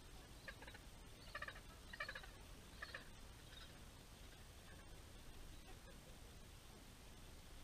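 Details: Gentoo penguins in a large colony at Orne Harbor. In the first three seconds, a series of short, harsh, stacked pulses form a stuttering call. Only quiet background noise and faint distant sounds follow.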